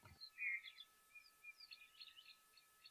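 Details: Lesser striped swallows at a waterhole in semi-arid, hot, dry Madikwe Game Reserve (greater Kalahari) after rains on 28 December 2023. They give short, high, nasal "whap, whap" chirping notes in a loose repeated series over a faint steady hum.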